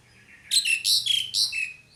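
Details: Pied myna calling: a brief cluster of loud, harsh, squeaky whistled notes, three or four rasping phrases in quick succession, over a faint low background hum.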